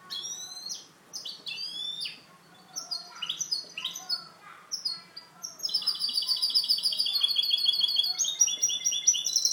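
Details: Kept goldfinch hybrid singing in the clean-song (canto limpio) style: loud bright phrases of quick downslurred whistles and twitters, then a fast rattling trill of high repeated notes, carried on steadily with little background noise.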